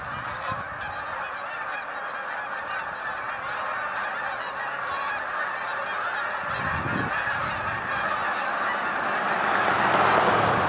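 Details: A flock of hundreds of Canada geese taking off, many distinct honks repeating over a constant roar of calling, the din growing louder toward the close, with a brief low thump partway through.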